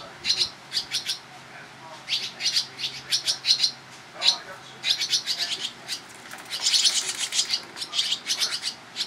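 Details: Barn swallow young begging as parents come and go feeding them, recorded in July in Toronto, Ontario, Canada: dense runs of high, clicking, chattering calls, swelling into a louder hissy burst near the end.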